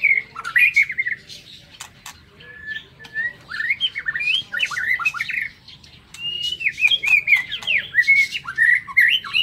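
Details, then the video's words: White-rumped shama in an aviary, morning song: bursts of rich whistled and warbled notes, quick slurs and twisting phrases separated by short pauses, with sharp clicking sounds throughout. "Tiếng Chích Chòe Lửa độc lạ hay"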